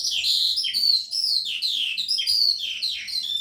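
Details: A captive calandra lark, newly arrived that morning and singing day and night, pours out a fast, unbroken stream of high, slurred, twittering notes, varied phrases tumbling over each other without pause.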